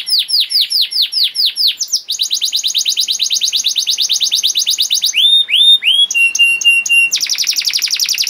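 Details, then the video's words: Canary in long, varied full song, played as a master song to teach young canaries and prompt lazy birds to sing: rapid high rolling trills, repeated downslurred notes, bursts of pure whistles and a final fast buzzy roll. "KENARI GACOR PANJANG CENGKOK ISTIMEWA COCOK BUAT MASTERAN KENARI PAUD || VOICE OF CANARY"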